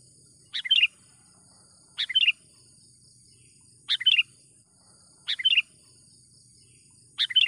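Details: Sooty-headed bulbul in full voice, used to lure wild bulbuls for trapping, repeats a quick bubbly phrase of a few chirps five times at irregular gaps of one to two seconds, over a steady insect hum.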